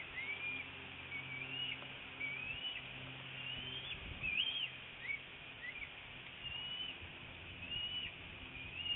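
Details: At a northeast Florida bald eagle nest on a February 2018 morning, the mother feeds her young eaglet a fish. Repeated high, thin whistled chirps, several slurred upward or downward, come every second or so over steady background hiss.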